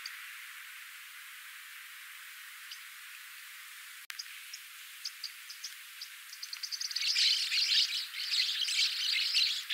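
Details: Black-cheeked lovebird, native to south-west Zambia's woodlands near surface water: scattered high sharp chirps at first, then a loud dense flock-like twittering of shrill overlapping calls in the last seconds, a single click midway.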